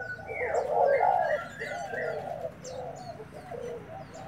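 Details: Newly arrived decoy spotted dove dueling right away, giving a strong low coo that swells and then softens into shorter hooting notes, while small birds twitter faintly above.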